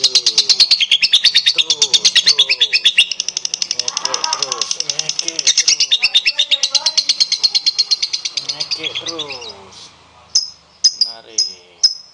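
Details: Prompting song of a lovebird for getting other lovebirds to sing: long stretch of fast, shrill, scratchy chatter that fades, then a few separate sharp high chirps spaced about half a second apart.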